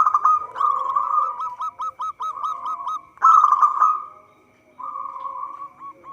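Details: Local zebra dove song played to lure birds for trapping: rolling coos broken by quick clipped staccato notes, a loud harsh burst midway, then a softer sustained trill.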